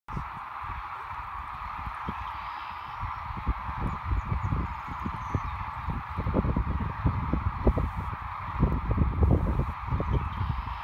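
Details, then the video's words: Migrating sandhill cranes on the Platte River, Nebraska, in March 2017: a dense, continuous chorus of many calling birds forms a steady mid-pitched wash, under heavy low rumbling wind or handling thumps. "Sandhill Cranes"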